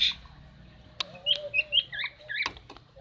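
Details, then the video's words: Short, bright chirps from a female common iora, used to prompt a male that has stopped singing, come in a quick cluster of about six notes with a few clicks and a faint low hum. "burung cak ijo betina untuk jantan mandek"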